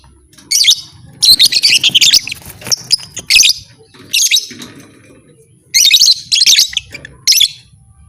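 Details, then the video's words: Rapid, harsh chattering from a lovebird whose sound is said to trigger other lovebirds to fight: dense runs of grating notes, then separate shrieks and a final quick series, over low background murmur. "Suara burung lovebird ini 100% merangsang lovebird lain Jadi Fighter"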